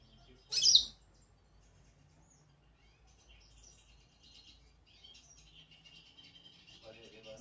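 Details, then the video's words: Goldfinch calling: one loud, brief, high chirping burst near the start, followed by faint, scattered high twittering and quiet background noise. "Pintassilgo chamando"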